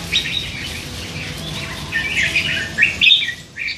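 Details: Three-month-old hand-fed red-whiskered bulbul chattering; faint scattered notes, then a louder run of slurred, buzzy warbled phrases near the end.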